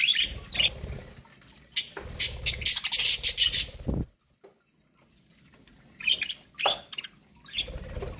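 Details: Budgerigars eating corn: crackly, clicking bursts of high chatter for four seconds, a short silence, then a few scattered high chirps with low rustling.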